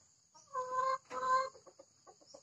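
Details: Laying hen of a hybrid breed on a Thai farm, about to lay an egg, gives two long, loud, nasal squawks followed by a run of soft, quick clucks over a faint steady high hum.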